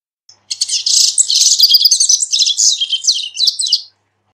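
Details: Captive Double-collared Seedeater (corbatita) from an aviary singing a long, rapid, high twittering phrase of sweet chips and trills, lasting over three seconds, with nothing else audible.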